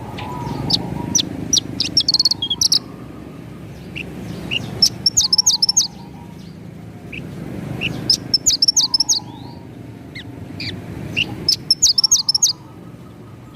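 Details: Javan bush lark in full lively song, rolling and sharp ('ngerol nembak'): high piercing chips and rapid rattling trill clusters repeated in phrases about every three seconds, with faint low hum behind.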